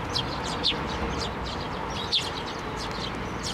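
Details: Eurasian tree sparrows and a chick coming to a hand for food at a Tenmangu shrine, 17 May 2024; loud sharp downward chirps stand out above constant softer twittering from the flock.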